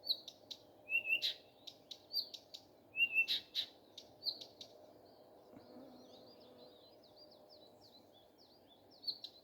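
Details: A common nightingale sings in the morning. Crisp clicks alternate with long pure whistles, then a softer series of quick chevron-shaped notes follows, with a faint steady hum behind.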